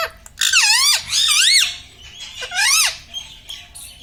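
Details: Talking parrot at home, said to say mummy, papa and radhe radhe: three loud, high, wavering speech-like phrases with strong harmonics, each bending down and up, separated by short pauses.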